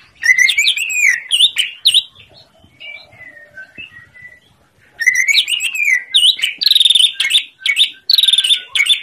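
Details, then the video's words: Energetic greater green leafbird song meant to prompt silent birds into answering: a loud run of fast chirps and sweeping whistles, a soft pause with low murmuring notes, then another long, intense burst of varied twittering. "Masteran Cucak Ijo Gacor l Yang Macet langsung nyaut"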